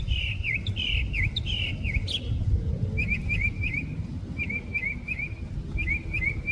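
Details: Mockingbird song in San Diego, with bright whistled phrases each repeated several times before switching: a run of swooping notes, then clusters of short chirps in threes. A low traffic hum runs underneath.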